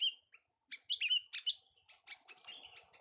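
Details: Sooty-headed bulbul, a young bird, giving quick chirpy whistles and short warbled notes in rapid bursts, some slurred downward, over a quiet background with a faint constant high tone.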